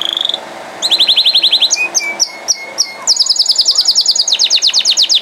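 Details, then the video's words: Nonstop canary song: a short whistle, then a rapid rolling trill, spaced sharp chips over a low steady whistle, and a long very fast high-pitched trill. "Non Stopable Canari Singing | Kanari Sounds | Kanari Voice | Canary Beautiful Voice"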